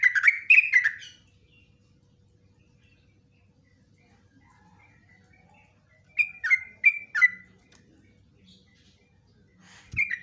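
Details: Yellow-vented bulbul singing a long 'ropelan' song with 'nguklik' and 'ngecruk' elements, for training cage birds: three bubbly phrases of rapid liquid chirps spaced by quiet gaps of several seconds, with a soft click near the end.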